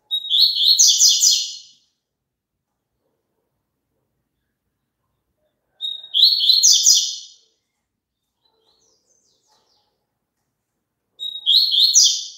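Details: Double-collared seedeater (papa-capim) song played for a caged bird to sing along: three phrases, each a clear high whistle leading into a quick buzzy, warbled run of notes, repeated about every five and a half seconds over silence.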